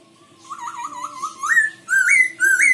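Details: Black-throated laughingthrush from Myanmar: a soft wavering whistled warble, then three louder clear whistled phrases, each sliding upward and ending on a higher ringing note, with a faint low hum underneath.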